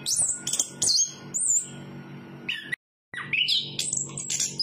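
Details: Singing Chestnut-capped thrush, a Southeast Asian forest thrush: high whistled and chattering phrases, a few lower slurred notes, broken by a brief silent gap before the song resumes with rising whistles.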